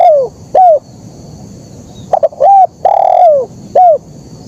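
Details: Mellow cooing of a spotted dove in the 'kuk 1' style. Short, downward-curving coos lead into a long sustained coo that drops in pitch, then a single clipped coo closes the sequence.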